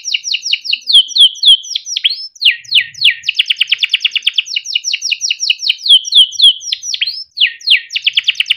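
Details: Yellow Timbrado canary singing continuously: varied downslurred notes, rapid rolling trills and repeated chirps in a bright, melodic stream.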